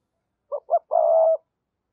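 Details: Spotted dove in the 'giọng thổ' voice style, played to stir a decoy bird into cooing: two short soft coos followed by one long, steady, slightly wavering coo, all mid-pitched, in a quiet setting.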